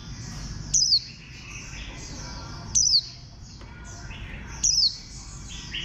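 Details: Bantam-shaped green white-eye, a Warbling white-eye: three loud, high, quickly falling chirps, roughly two seconds apart, over steady background twittering from many other birds.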